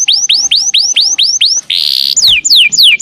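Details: Canary master song to stimulate pet canaries to sing: repeated upward-sweeping whistles about four per second, a short harsh buzzy burst, then slower downward-sliding whistled notes.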